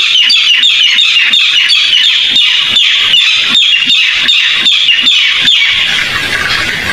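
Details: Lure recording of a barred rail (tikling) used in trapping: steady shrill squeaky notes about three per second for most of the span, fading into broad hiss near the end.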